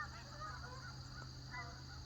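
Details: Geese between a lake and a pond honk at a distance one morning: faint, nasal calls from several birds, one short burst near the start and another near the end, over a steady low hum.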